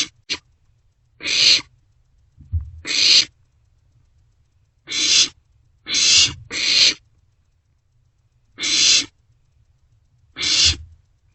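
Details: Barn owlets at night in an owl box, passing a meal back and forth; rasping hiss-screeches in an uneven series, some short and paired, with faint scuffling thuds in the background.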